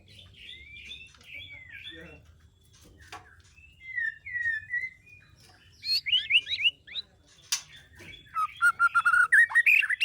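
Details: Breeding-season white-rumped shama in a captive breeding aviary: soft scattered whistles at first, building to loud, fast, varied trilling phrases and rapid notes toward the end.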